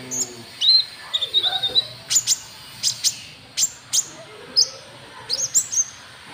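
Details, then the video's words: Lure call of a trotol white-cheeked bulbul, meant to provoke rival birds: thin, high chirps and brief whistles repeated about every half second, with a few softer lower notes early on and light background hiss. "Suara Pikat Burung KONIN TROTOL , Ampuh Buat Pancing Lawan"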